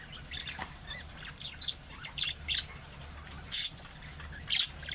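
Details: Budgerigar making calling-type chirps like young birds, said to set other budgies answering. Sparse, sharp, very high tweets come about once a second over a low steady hum.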